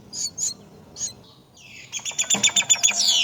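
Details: Myna caring for its young at the nest: a few short high chirps, then a downward-sweeping harsh note, then a fast run of rasping pulsed calls at about four per second.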